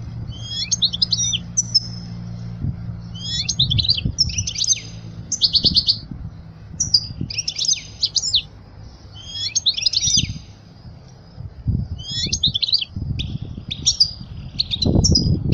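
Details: Song of a European goldfinch, used to teach young goldfinches: bursts of high, jangling twitters and buzzy trilled notes repeated every second or two, with low thumps and knocking noises between phrases.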